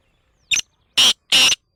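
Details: Black francolin calling: one short note followed by two longer, harsh, grating bursts about a third of a second apart, loud and clear against a silent background.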